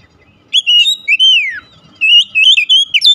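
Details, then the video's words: Oriental magpie-robin giving a luring song to prompt caged birds: loud, clean whistles, one long note sliding smoothly downward, then a lively sequence of warbling, rising and falling whistled phrases. "kicauan Kacer memikat | Kacer rumahan langsung respon gacor"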